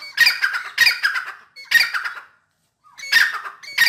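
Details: Excited grey francolin, called dakhni teetar, with a run of harsh, scratchy calls in quick pairs, then a short gap before further loud grating notes resume.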